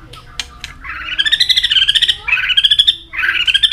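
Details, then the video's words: White-rumped shama at peak form singing a fighting song and flicking its tail nonstop; a few sharp clicks lead into long, rattling, buzzy trills that rise gently, delivered in two or three bursts. "chòe lửa đạt điểm lửa hót đánh đuôi liên tục"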